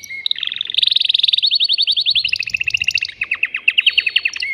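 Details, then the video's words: Caged male canary singing eagerly to bring a female into mating condition: dense, very fast pulsed trills shifting in pitch, first higher then lower, followed by rolling downward-swept notes, loud and continuous. "تغريد ذكر كناري هائج يريد تكسير القفص يحفز الأنثي لتزاوج"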